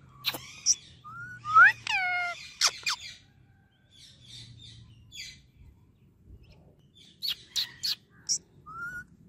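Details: Friendly pet Indian ringneck parakeet that talks non-stop: scattered clicks and a loud cluster of curved, harmonic speech-like syllables, a quiet stretch, then more clicks and a short whistled note.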